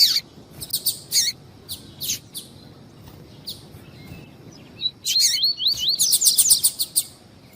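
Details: Coleiro, a double-collared seedeater, in tui-tui warm-up song: bursts of high sharp chips, a quiet gap, then looping wavy whistles followed by a dense, fast twittering flourish.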